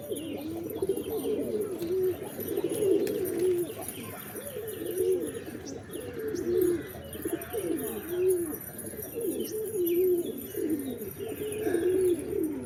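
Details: Pigeons cooing steadily, low looping phrases repeated about every one to two seconds with a bouncing, rising-and-falling rhythm, light chirps faint in the background.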